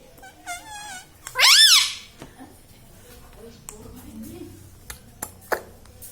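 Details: Pet talking ringneck parrot, said to say mummy, papa and radhe radhe. Rapid wavering harmonic notes lead into one loud, harsh, arching squawk. Faint clicks and low murmuring follow.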